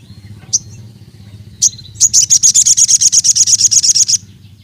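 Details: Ruby-cheeked sunbird singing to call out rivals and spur other birds into song: two isolated sharp high chirps, then a fast, even trill of about twenty bright repeated notes lasting two seconds.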